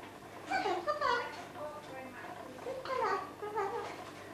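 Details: A female red eclectus parrot talks in speech-like mimicry, two bursts of babbled word-like syllables including "hello" and phone-ringing sounds, in a quiet room with a green male eclectus nearby.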